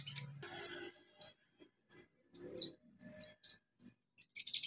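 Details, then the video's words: Free-living olive-backed sunbird in its natural habitat: high whistled slurred notes and sharp chips spaced out irregularly, a few short downward sweeps, faint low sounds underneath. "KICAU KONIN ALAM LIAR HABITAT ASLINYA"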